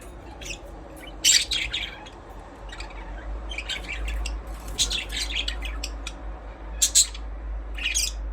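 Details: Budgerigar chirping: scattered sharp, high chirps and scratchy squawks over a steady low rumble of background noise.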